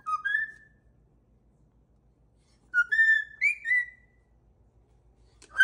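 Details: Indoor pet cockatoo giving brief whistled snippets of its tune: a short two-note rise, a long silence, then three rising whistles, each note upswept.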